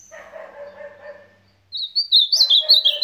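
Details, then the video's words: Ultramarine grosbeak, supapo song style: a dog barks for over a second, then the bird cuts in with a loud, quick run of bright whistled and warbled notes that rise and fall. "AZULÃO SUPAPO"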